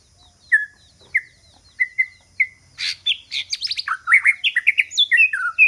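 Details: White-rumped shama decoy bird for luring rivals: a few evenly spaced short whistles about every half second, then a fast burst of clicks breaking into a lively stream of varied whistled and warbled notes.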